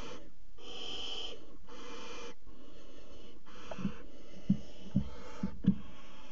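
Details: Barn owl pair on a water tower nest box edge, February 2018, during mating; three breathy hisses early on, then a series of sharp low knocks and scratches from movement in the box.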